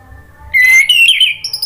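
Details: A short ngeplong-style lure phrase of an orange-headed thrush meant to make birds sing: one loud, steady whistle that rises slightly and ends in a bright, higher trill.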